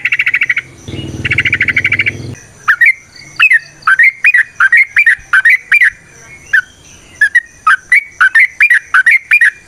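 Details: Yellow-vented bulbul in full 'gacor' long 'ropel' song, forest style, played as a lure to make other bulbuls sing: a buzzy pulsed burst, then rapid liquid bubbly notes repeated more than once a second.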